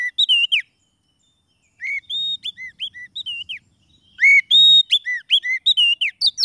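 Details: Lure song of an Oriental magpie-robin for catching wild birds or stirring silent ones to sing. Bright whistled notes, some swooping down and some up, come in rapid bursts separated by about a second of quiet.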